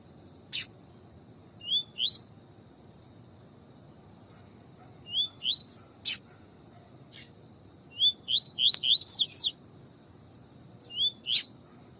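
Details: Caged rusty-collared seedeater male with a female chirping to excite him: rising whistled notes in pairs recur every few seconds, building into a fast run of several notes, interspersed with sharp clicks.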